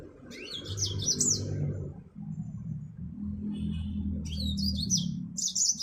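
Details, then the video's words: Yellow-fronted canary from Africa giving short bursts of high twittering, warbled song at the start and end. A steady low rumbling noise fills the background throughout. "Burung Finch Mozambik Afrika"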